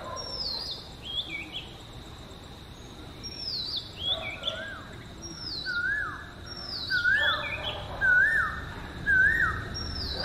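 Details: Oriental magpie-robin in natural song, one of seven sweet melodies: high falling whistles, then a series of lower rising-and-falling whistled notes repeated roughly each second toward the end.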